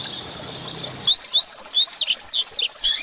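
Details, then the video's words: Double-collared seedeater singing in the Grego style, used to stimulate and teach young caged birds. After a second of hiss, a crisp run of high, sharply sweeping whistled notes pours out quickly, about a dozen in two seconds. "Coleiro Grego Cantando Para Foguear seu Coleiro"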